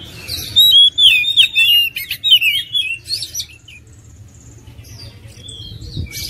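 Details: Oriental magpie-robin song opening with a dense burst of whistles, trills and chips, then tailing off into quieter scattered notes and near silence.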